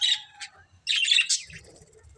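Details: Pet budgies of a family group giving a short scratchy chirp, a pause, then a louder buzzy warbled burst fading away.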